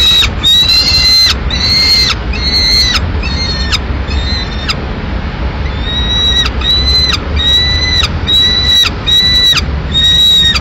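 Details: Peregrine falcon at a nest in Madrid on 24 May 2016, as the mother arrives with a pigeon to feed the lone chick. About a dozen drawn-out, strained, even-pitched wailing calls come in quick succession over a steady low city rumble.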